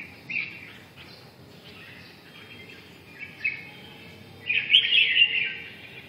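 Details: Red-whiskered bulbul song in scattered short whistled phrases, soft at first, then a loud rich warbling burst in the final seconds, with light background noise.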